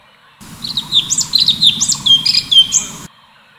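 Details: Orange-bellied Leafbird (cucak cungkok) giving a full continuous 'tembakan' song: a quick run of bright, high whistled notes with sharp slurred rising and falling strokes, about two per second, over a low steady hum.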